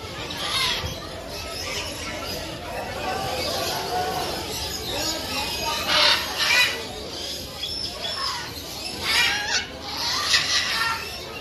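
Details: Burrowing parrots, also called Patagonian conures, calling in the world's largest parrot colony: harsh, broadband screeches rise in loud bursts over a steady roaring background of many distant birds.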